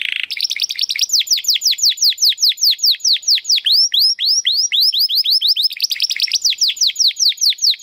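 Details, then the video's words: Timbrado Español Original canary, a male bred in 2020 from rated parents, sings a training song: long runs of rapid descending whistled notes around four kilohertz, repeated about two to three per second, bright and metallic, with no other sounds. "Canary 's Training Song"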